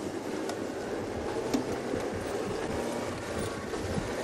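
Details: Steady broadband rumble like a passing vehicle or train outdoors at sunset, with no clear animal call heard.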